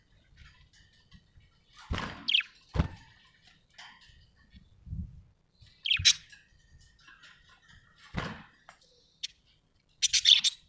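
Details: Happy budgie letting out scattered sharp, high chirps a few seconds apart, with low knocks and thumps between them and a final quick burst of squeaky chatter.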